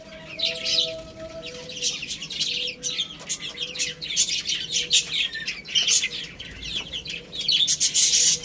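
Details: Chicks chirp steadily while eating rice, their high peeps thick and continuous, broken by clustered pecking clicks and a soft intermittent tonal hum.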